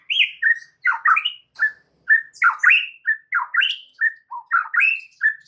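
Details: White-rumped shama song used as a lure to make other shamas sing: rich, varied phrases of rising whistles and harsh, squawky notes, given in steady bursts about two per second.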